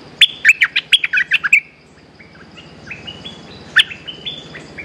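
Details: Resident bulbul calling back to a lure bird as soon as it is hung: a rapid burst of about eight loud chirped notes, then softer, drawn-out whistled phrases stepping up and down, with one sharp note near the end.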